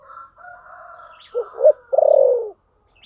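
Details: Spotted dove giving its "thổ sấm" voice-style call. Faint drawn-out tones come first, then two short coos and a long vibrating coo that sinks gently in pitch.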